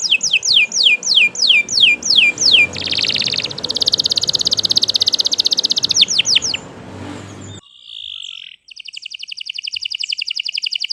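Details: Canary singing a long, continuous song for use in song training: rapid falling whistled sweeps repeated about twice a second, then a dense buzzy trill, more sweeps, a steady pure whistle and a fast high rattle.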